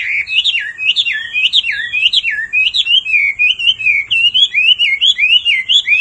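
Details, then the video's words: Male hwamei, golden-billed, singing hard after a female's insistent calls: a clear, continuous string of loud looping whistles that rise and fall in regular waves about three per second. "Họa mi mái xùy liên hồi kích chim trống căng lửa hót ngay"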